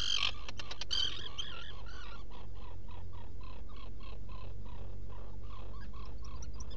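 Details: Nesting black guillemot in a rock burrow at Seal Island NWR, Maine, 18 June 2018 around dawn; a brief loud harsh burst opens, then rapid evenly spaced short peeps continue over a low background hum.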